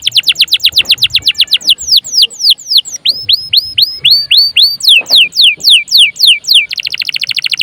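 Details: Vigorous domestic canary song used as a lure to get other caged birds singing and as a tutor for them: rapid series of steep descending whistled strokes, then hooked upturned notes, ending in a dense high buzzy trill.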